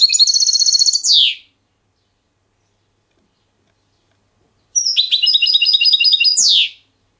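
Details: Trained European goldfinch singing a clean silvestrismo song: a fast buzzy trill ending in a descending slurred note, then silence, then another rapid liquid trill phrase closing with the same downward sweep.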